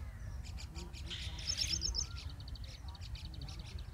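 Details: Indian robin chicks being fed in the nest: rapid, thin, high chirps repeated about four times a second, with a brief louder burst of chatter, over faint low voices and background murmur.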